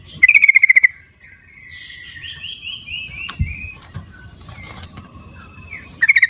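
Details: Sooty-headed bulbul in its wild habitat, played to draw song from silent birds; a rapid chattering run of about eight notes opens and closes the stretch, with distant descending bird phrases and steady insect hiss between.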